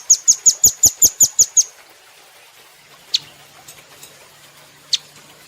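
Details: Rambatan (velvet-fronted nuthatch) from a cage-bird training recording, very vocal: a quick run of about nine bright, high, clipped notes in under two seconds, then near silence with a couple of isolated sharp chips.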